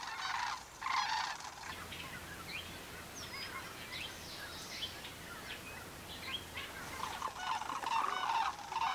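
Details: Sandhill cranes on migration along the Pacific flyway, gathered by thousands in farm fields in Oregon and Washington; rattling trilled calls open and close the stretch, with thin chirps from small birds in the quieter middle.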